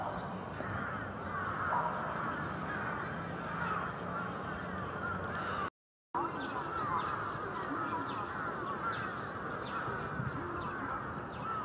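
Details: Big flock of bramblings at Yoyogi Park in February 2019 keeps up a steady, crowded babble of calls, with a short silent break near the middle before the chorus carries on.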